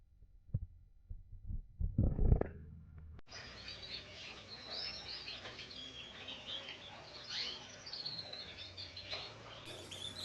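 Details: Young canary learning to sing: after a few low thumps and knocks, a soft, continuous, rambling warble of high twitters and chirps runs steadily to the end, quiet and unstructured.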